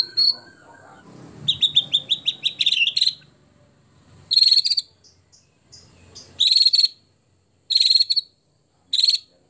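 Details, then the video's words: White-rumped shama delivering a mimicry-filled phrase of the kind favoured by competition judges: short high buzzy trill bursts separated by pauses, with an opening stutter of quick notes and faint low rustling. "Tembakan Murai Batu Isian Sadis Dan Mewah Yang Disukai Juri"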